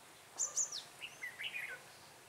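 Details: A red-whiskered bulbul serves as a trapping decoy, recorded 6 December 2016. Two very high thin notes open, then a rapid slurred warble of chirps follows, quick and lively.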